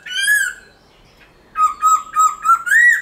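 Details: Black-throated laughingthrush singing in forest style, a recording used to spur caged birds to sing. One clear whistled note with a slight rise, a short pause, then four quick fluting notes and a final rising whistle.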